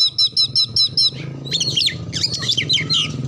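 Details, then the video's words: Oriental magpie-robin lure song for prompting other birds to sing, with mimicked local birds; six evenly spaced high doubled notes about every 0.2 seconds, then a jumble of slurred whistles over a steady low hum. "pancingan Kacer terbaru 2022 ampuh langsung nyaut gacor buka ekor"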